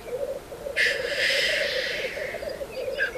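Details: Black grouse displaying at a lek before dawn, part of courtship, with females arriving while still dark: a steady low bubbling coo rolls on throughout, broken by a long breathy hissing wheeze lasting about a second and a half.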